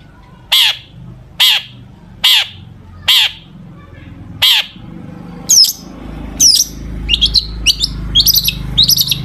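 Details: Long-tailed shrike in full mimicry-laden song, used as a lure to get other shrikes singing: five harsh, ringing notes about a second apart, then sharp up-flicked whistles and quickening chirps over a low background hum.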